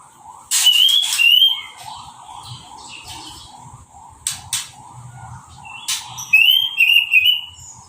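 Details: Orange-headed thrush singing straight after moult and a hose-spray bath, with no cage cover. It gives bright, trilled whistled phrases between sharp spray bursts. A low repeated chirping runs steadily underneath.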